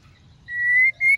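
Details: Song of a female white-rumped shama used to provoke males to sing: one long, pure, slightly rising whistle, a brief gap, then a second shorter whistle cut off by a sharp note.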